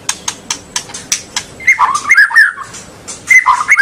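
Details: Singing white-rumped shama, played so young birds start singing and chatter at length: a run of quick, evenly spaced dry ticks, then loud looping whistled phrases dipping and rising, with a final burst of rich whistles.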